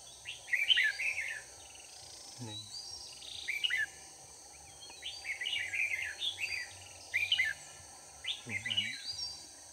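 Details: On 4 March 2019, a red-whiskered bulbul sings as a lure while wild bulbuls are trapped. It gives repeated short bursts of sweet, chirping warbles separated by pauses, with two brief human voice sounds and a persistent high buzz.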